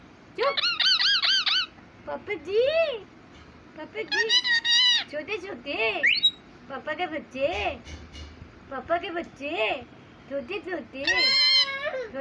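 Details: Pet parrot indoors talking like a human and imitating a cat: long stretches of wavering, speech-like phrases and mew-like wails with bending pitch, plus a brief squeaky whistle around the middle.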